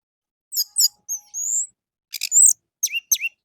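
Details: Morning song of an orange-headed thrush, used as a lure to set caged birds singing: clipped high chirps, a drawn-out whistled note, then buzzy trills and sharp falling notes.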